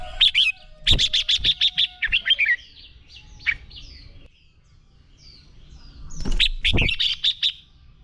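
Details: Red-whiskered bulbul fighting song for training: a long, fast series of about ten sharp whistled notes, quieter warbling, then another lively burst with low thumping knocks underneath.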